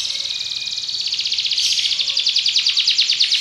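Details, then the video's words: Belgian canary song made of a continuous high, fast, rattling trill that grows slightly louder and more separated toward the end. "Canário Belga cantando"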